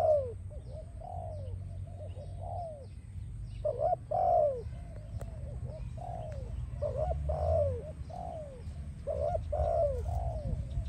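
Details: Spotted dove song, offered for training and attracting doves: a steady run of low, soft coos with some notes dipping at the end, phrases repeated every second or so and denser near the middle and end, over low background rumble.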